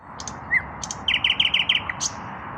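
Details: Evening song of an unpaired male common nightingale, breast puffed out: sharp upslurred notes, then a rapid series of six bright, metallic repeated notes, ending in a high buzzy flourish over steady background hiss.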